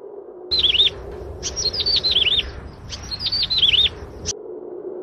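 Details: Yellow-bellied prinia with albinism, a bird of grassland and scrub, giving three quick bursts of bright mewing notes that slide downward in steps, each burst about a second long, over a constant low background hum.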